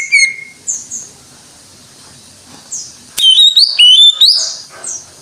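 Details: Greater green leafbird singing 'gacor' style: scattered soft high notes at first, then after a sharp click a loud burst of wavering whistled phrases that rise and fall before fading.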